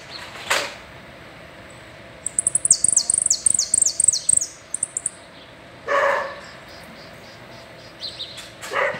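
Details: Saffron finch giving part of its "el rollo" song, a brisk run of high, downward-sweeping whistled notes for about two seconds, with loud, harsh bursts of another noise before and after.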